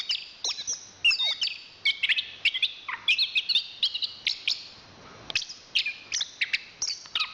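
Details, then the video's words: Anis kembang, the chestnut-capped thrush, a national champion singer, delivering a fast medley of bright whistles, trills and clipped chirps in dense bursts, with one short pause midway. "Suara Kicauan Burung Anis Kembang Juara Nasional"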